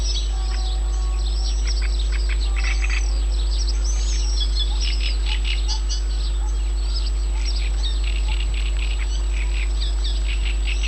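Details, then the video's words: Late-May birdsong in Yanovka, Novocherkassk, 29 May 2017: many birds give high, arching whistled notes and rapid sharp chirps in a dense overlapping chorus, with steady background hum throughout. "Голоса птиц в Яновке (Новочеркасск)"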